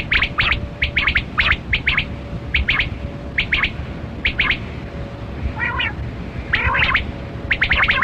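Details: Kali kirak quail (batera) in a hunting context, giving quick clipped chirps in tight pairs and runs, plus a few harsher rasping notes with layered overtones, over a constant background hum.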